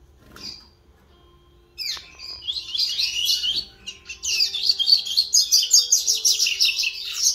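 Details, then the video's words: A young Double-collared Seedeater practising its song on 11 September 2021: a fast, rambling run of high chirps and twitters, loosely strung together after a brief quiet start. "Coleiro Terceira Nota Ensaiando canto Filhote"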